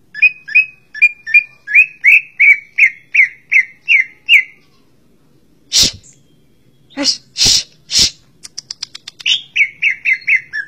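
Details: Varied song of a greater green leafbird: about a dozen bright slurred whistles repeated evenly, then a pause broken by loud harsh scratchy notes and a quick ticking series, before the slurred whistles return.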